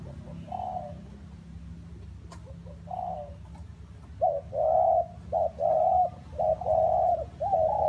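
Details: Spotted dove cooing in rainy, windy weather: after a few soft early coos, a run of louder, low, hoarse coos repeated in close succession, over a steady low background rumble.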